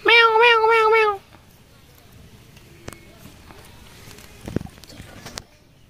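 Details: At the Mirpur 1 Friday bird market, a talking Indian ringneck parakeet mimics human speech with a loud, wavering, nasal utterance just over a second long, followed by quiet background rustling and scattered faint knocks.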